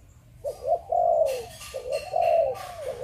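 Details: Two low, throaty coo phrases from a spotted dove of Malaysian breeding stock in the 'Chụp Chụp Ô' style, each a short note rising into a long falling coo, with bursts of rustling or clattering noise.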